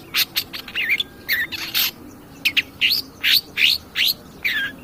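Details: Long-tailed shrike song as a provoking lure for other birds: grating chatter mixed with clear rising and falling whistled slurs, roughly two to three notes per second.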